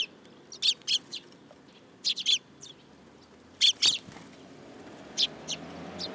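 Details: At a Tenmangu shrine in July 2022, sparrows perching on an outstretched hand utter loud, high chirps in quick pairs and triplets with short pauses between groups.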